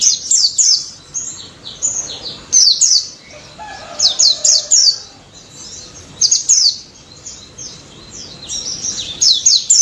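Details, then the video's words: Pleci daput white-eye in full 'ngalas' song: rapid, high-pitched twittering bursts of sharp slurred notes, several dense phrases with brief gaps in between. "BURUNG PLECI DAPUT GACOR NGALAS NEMBAK"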